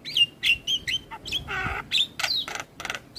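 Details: Javan myna singing in the morning, a model for young birds: clear sharp whistled notes alternating with a harsh buzzy rasp, in quick irregular sequence.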